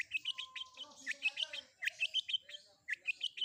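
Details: Long-tailed shrike combination isian song, quieter and busier: quick clustered chirps and short whistles, with steady lower whistled tones and faint background noise underneath.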